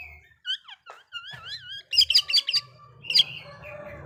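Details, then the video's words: Oriental magpie-robin singing to rile other magpie-robins: wavering whistled slurs rising and falling, then a quick burst of harsh repeated notes, with a low hum underneath. "Suara burung kacer bikin emosi kacer lain"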